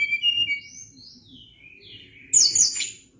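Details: Sunda blue robin in lively song: clear high whistles gliding up and down, a quiet gap, then a sudden burst of dense, very high chattering notes.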